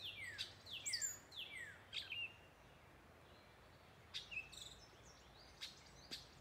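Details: Northern mockingbird singing in the woods at dusk at the Wescott Preserve, Hunterdon County, New Jersey: a descending slurred whistle repeated three times, then sharp high chips and varied short phrases, quiet against a soft background hiss.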